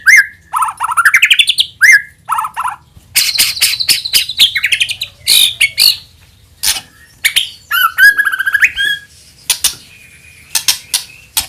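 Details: White-rumped shama song used to lure other shamas into singing: upward-sliding whistles, then a burst of rapid sharp clicks and scratchy chatter mixed with clear fluty notes.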